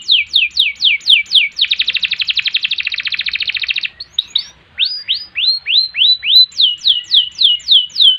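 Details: Canary singing long and vigorously for tutoring and provoking other birds: swooping notes, a rapid two-second trill, then further runs of repeated swept whistles.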